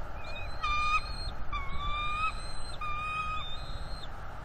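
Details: A young bald eagle mantles over two fish on its northeast Florida nest on April 19, 2021, claiming them from its parents. It gives loud, level whistled squeals, each about half a second long, in a broken series, with wind noise below.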